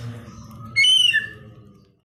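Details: White-rumped shama singing energetically in gacor style: one loud, clear whistled phrase about half a second long, sliding downward in pitch, over a low steady hum.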